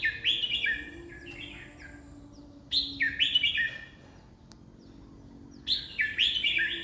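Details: Red-whiskered bulbul singing at a rate of 20 song phrases per minute: three loud, warbled, rapidly rising and falling whistled phrases, each about a second long, separated by quiet pauses of roughly two seconds.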